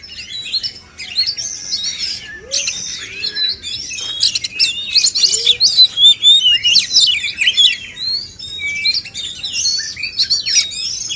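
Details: Oriental magpie-robin males, called kacer, pour out rich, overlapping whistled phrases and chirps in a singing contest, opening quietly and then holding a lively, fast pace of roughly four notes a second.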